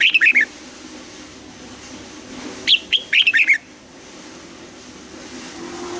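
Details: Morning training song of a red-whiskered bulbul, double-note mature wild-style singing: a brief whistled flourish, a pause of about two seconds, then a longer run of six ringing notes that step downward.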